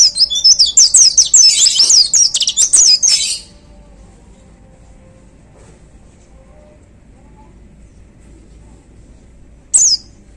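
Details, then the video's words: White-eye delivering a dense three-second run of very high, rapid, slurred trilling whistles, followed by about six seconds of quiet and one lone high note near the end. "Suara Tembakan Dahsyat Pleci Gacor"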